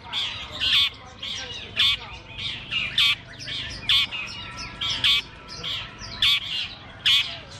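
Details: Long-tailed shrike singing on the poles at a bird contest; harsh, high squawky notes repeat in short bursts every second or so, alternating with softer scratchy chatter, with faint human voices behind.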